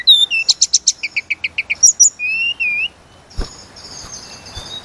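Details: Sunda robin (tledekan gunung) in lively full song, used as a lure to make other birds sing: rapid repeated sharp chirps, then clear rising and falling whistles, a pause, and faint background clicks and a thump.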